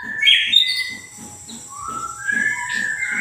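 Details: Greater green leafbird song: a loud whistled burst at the start, then softer drawn-out whistles and a high thin tone, over steady low rhythmic thumping.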